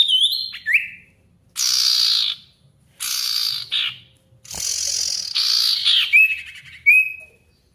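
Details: Sirtu singing as a lure to provoke quiet birds and call a rival: whistled notes alternating with long harsh buzzy rasps lasting about a second each, ending on clear level whistles.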